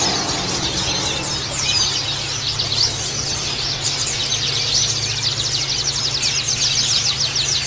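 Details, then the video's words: Oriental white-eye song meant as therapy for male birds held in group cages: thin, high chattering that swells into quick runs of repeated slurred notes, continuous throughout, with a faint steady hum. "TERAPI PLECI BAHAN PALING AMPUH"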